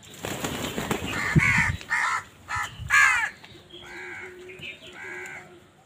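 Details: Several crows in a village cawing: harsh, nasal caws repeated irregularly, some louder and rasping, others softer and more tonal, with rustling and low rumbling noise early on.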